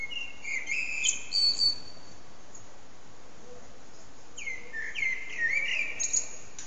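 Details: Evening song of a common blackbird at sunset, captured with an HTC Desire phone: two separate bursts of clear, warbling whistled notes with twittery flourishes, divided by a few seconds of soft hiss.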